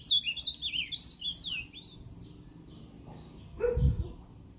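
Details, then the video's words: Ultramarine grosbeak (azulão), northeastern song, Limoeiro do Norte, Brazil, 20 September 2023; a quick descending string of whistled notes, then silence and a short low thump or bark near the end. "AZULÃO CANTO DO NORDESTE"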